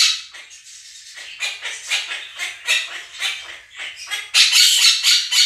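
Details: Two pet Quaker parrots calling over a played budgerigar recording. Quieter choppy squawks build into a loud, dense burst of harsh screaming at the end.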